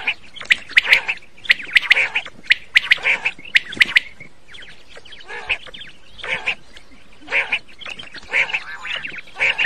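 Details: Quail voice played for hunting at night: dense bursts of clicking chirps mixed with buzzy, nasal squawks, loud for four seconds, then softer grouped squawks recurring about once a second.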